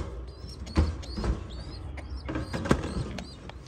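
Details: Pigeon chicks at feeding time give faint, thin squeaks that rise and fall, a few over several seconds, among soft thumps, clicks and low rustling.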